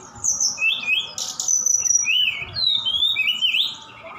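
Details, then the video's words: Continuous song of a Javan bush lark sent from Sukabumi, Indonesia, including mimicked cililin and sikatan londo phrases: wavering high whistles, a brief noisy burst, then rising and falling slurred notes, over low background noise and hum. "Tledekan Gunung Gacor Sukabumi"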